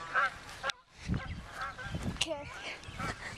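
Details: Geese disturbed in the morning as someone sneaks up and scares them, giving loud harmonic honks in a noisy burst around the first second and again near two seconds, with a man's voice and outdoor rustling.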